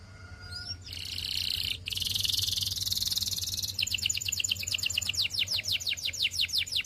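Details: A Belgian canary (Serinus canaria domestica) sings a bright, high song: a sustained rolling trill, then a run of rapid, sharply repeated chirps at about three per second.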